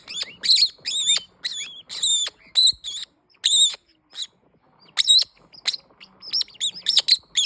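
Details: Green-winged king parrot squawking loudly in clustered bursts of shrill, grating notes. Brief silences interrupt the calls, which end in a fast, uneven chatter.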